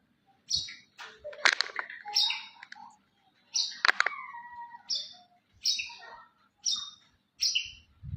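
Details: Contest champion white-rumped shama delivering a series of loud, ringing whistled phrases separated by short pauses, some with sharp clicking notes and downward slurs, repeated roughly every second.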